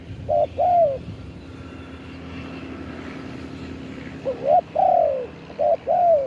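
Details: Spotted dove cooing live as a lure for wild doves: a short-long coo pair, a quiet gap with faint engine-like rumble, then a rising double note, long coo and another short-long pair.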